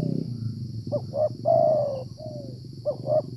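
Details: Wild Spotted Dove (tekukur), the likely dominant male of its area, heard during rainy-season decoy trapping: one phrase of two quick notes, a sustained soft coo and a falling tail, then the next phrase beginning, with a brief low thump at the start.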